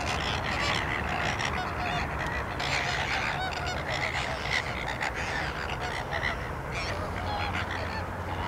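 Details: Flamingos at a salt lake in Larnaca, Cyprus: a dense chorus of many birds giving goose-like honking calls, overlapping continuously with no pauses, set against a steady broadband background hiss.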